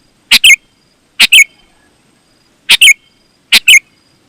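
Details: Sooty-headed bulbul singing actively, a recording meant to lure wild bulbuls; four short bright phrases, each a quick pair of liquid chirping notes, repeated roughly once a second against a quiet background.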